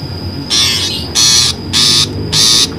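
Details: Lure call of a long-tailed shrike, played to trap birds. Four loud, scratchy squawks come roughly every 0.6 seconds against a constant high-pitched hum.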